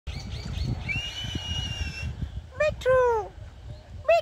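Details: Indian ringneck parakeet giving thin, nasal, speech-like mimicked phrases, then loud harsh descending squawks near the end and a short final squawk, over a low rumbling background.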